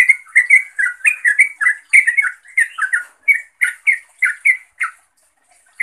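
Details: Quick, loud chirps tumble out from a sooty-headed bulbul calling a rival or companion, slowing into spaced single notes before falling quiet, with one final chirp at the end.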